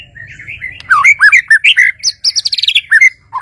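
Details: White-rumped shama from Kalimantan, Borneo, singing a fast, varied run of loud whistled notes, slurred upward and downward, then a dense burst of high, sharp chirps near the end.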